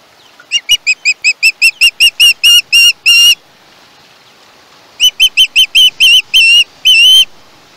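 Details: Two bursts of rapid screeching from a young osprey at a Chesapeake nest, 21 August 2019, each a quickening chain of shrill notes lengthening into drawn-out cries, separated by a pause of nearly two seconds; live cam recording.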